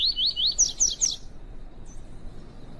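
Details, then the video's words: Female double-collared seedeater, the 'tui tui' type, calling to stimulate a male during training: five quick wavy whistled notes swooping upward, then three higher, sharper slurred notes, over about a second, followed by quiet background hiss. "PIADO DE FÊMEA DE COLEIRO PARA ESQUENTAR PAPACAPIM"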